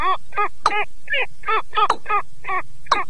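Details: Male and female rails calling together as a trapping lure, 2022; rapid harsh, nasal grunting notes repeated about three per second, steady and loud, with occasional sharp clicks mixed in.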